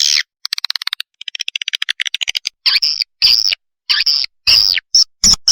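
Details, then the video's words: Swiftlet chick lure call: quick clicking ticks at first, then longer high rasping buzzes separated by brief silences. "suara pikat anak burung walet super"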